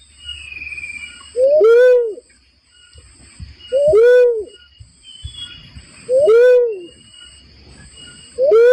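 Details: Trapping lure recording of a barred cuckoo-dove: four evenly spaced, deep, arched hoots roughly every two seconds, each rising then sliding down, with thin constant high tones in the background.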